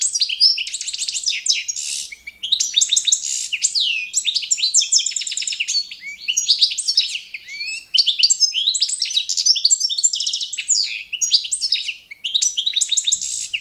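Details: European goldfinch of the Balkan form, Carduelis carduelis balcanica, singing competition-standard song used for training: long run of fast twittering, buzzy trills and chirps, pausing briefly near 2.5 and 8 seconds.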